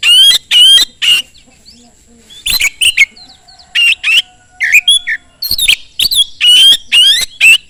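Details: Oriental magpie-robin singing very fast and loud to lure others into song; dense run of harsh buzzy bursts and clear whistled slurs, about two per second, with a soft faint whistle beneath.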